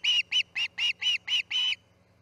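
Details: Osprey on the Charlo nest, fledging day, August 10, 2018, 6am: seven loud, harsh chirps in quick succession with the last one drawn out, then silence apart from a faint hum.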